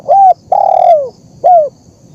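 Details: Spotted dove (terkukur) in a lure recording: a short coo, a long smooth coo falling in pitch, and another short coo, each clear and mellow.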